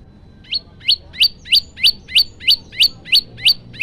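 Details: Male prenjak lumut (prinia) giving relaxed 'tembakan' shots, recorded with a Samsung phone: eleven bright upward-sweeping chirps, evenly spaced about a third of a second apart, with clean silence between.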